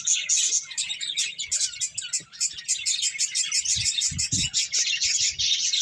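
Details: Finches chirping while they eat: rapid, high-pitched tweets pour out in a steady overlapping stream, with a few soft low thumps underneath.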